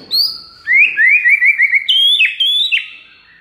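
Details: White-rumped shama singing a master recording meant to prompt replies from other shamas: a rising whistle, a rapid run of slurred upward notes, then a few high, sharply falling whistles.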